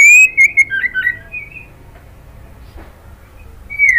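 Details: Female white-rumped shama calling the male: a loud burst of clear whistled notes, some sliding up and down with quick warbling twists, then a quiet pause before another bright whistle rises at the end.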